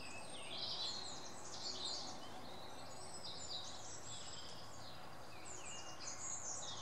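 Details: Eurasian blue tit on a tree stump in woodland, giving a busy run of high, thin chirps and short twittering notes throughout, with a steady low rumble of background noise.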